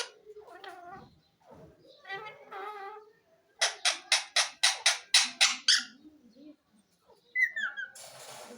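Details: Talking ringneck parrot with low, speech-like mumbled phrases, then a regular series of nine harsh squawks about four per second, ending with a brief whistle and noisy hiss.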